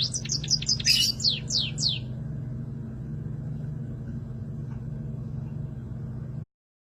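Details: A small rice-eating finch, said to sound like a canary, gives a quick burst of about eight high, sliding chirps over two seconds, then falls silent under a steady low engine-like rumble; identified as a sparrow.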